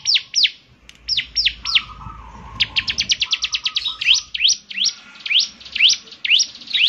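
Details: Bar-winged prinia (ciblek semi) singing actively, a distinctive voice said to prompt other prinias to sing along: sharp downslurred whistled notes, some rising, in quick runs with brief pauses, a faint low hum beneath.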